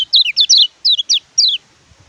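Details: Oriental white-eye (kecial kuning), tutor song for caged birds that won't sing: loud bursts of three or four rapid, descending high chirps, repeated in quick groups with short gaps.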